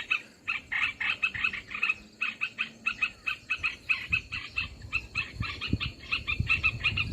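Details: Olive-winged bulbul lure call for bird trapping: short groups of rough, buzzy chattering notes repeated several times a second, separated by brief gaps, with low rumbling noise in the background.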